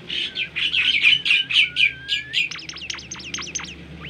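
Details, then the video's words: Bimoli bird, a melodious and rare songbird, singing a training song: a rapid run of bright high chirps, then a long rising whistle, then a quick series of sharp up-and-down whistled notes. "masteran merdu burung bimoli gacor"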